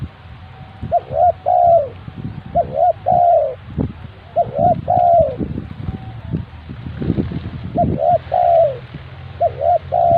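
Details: Spotted dove kept as a lure bird for trapping, giving rhythmic low coos in repeated phrases of two or three notes, with a longer, drawn-out final note. Each phrase comes every couple of seconds over steady low rumbling and knocking background noise.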